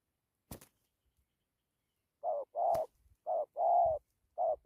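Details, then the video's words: Spotted dove cooing after a sharp click near the start: from the middle onward, low mellow paired notes, a short coo then a longer drawn-out one, repeated in quick succession. "Thổ tốt tiếng gù tốt dặm kèm gù"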